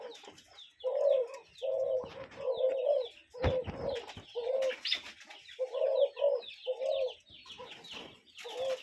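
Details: Cuckoo calling among other birds in nature: repeated hoarse, mid-pitched notes, sometimes doubled, about once a second, over busy high twittering and a short rustling knock.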